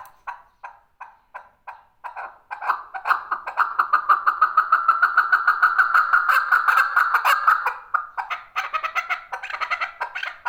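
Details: Male chukar calling, starting with spaced single chuk notes that speed up into a fast, dense, pulsing series of hoarse clucks, then fragment into uneven raspy phrases at the end.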